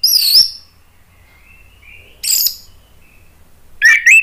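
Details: Orange-headed thrush in emotional lure song, used as therapy for birds that stop singing: a loud sweeping high phrase, faint thin whistles, another bright burst, then an abrupt rising, twisting note.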